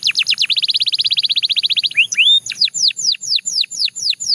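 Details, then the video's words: Belgian canary song opening with a quick even trill, followed by rising slurred whistles and then a regular series of sharp falling whistled notes, roughly four each second. "The Most Effective Canary Singing Sound – Belgian Canary Edition"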